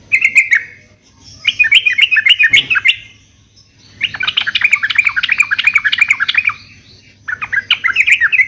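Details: Yellow-vented bulbul in full, energetic song, played to prompt caged birds to answer: bursts of rapid, bubbly chattering notes, about three to four per second, broken by short pauses.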